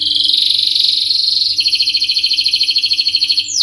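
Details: Canary holding a continuous, very fast buzzy roll in its 'ngerol nembak' song, high and pulsing throughout, ending with one sharp downward-sliding note; a low constant hum beneath.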